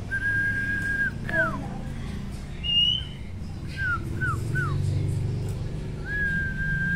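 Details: Sirtu male in full song, meant to rile up rivals: a long flat clear whistle, a sharp downslurred note, a higher short whistle, then three quick falling slurs, ending on another long steady whistle, over low room rumble.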